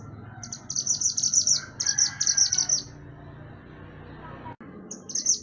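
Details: Pied bushchat (mantenan gunung) singing actively, recorded as a master track for training songbirds: high, thin, buzzy rattling phrases, about half a second each, repeated in quick succession. Brief pauses separate them, over a low background hum.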